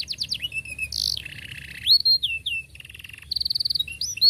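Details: Canary singing to teach juvenile birds: varied slurred whistles, buzzy trills at different pitches and a brief rapid rattle, delivered in quick changing phrases.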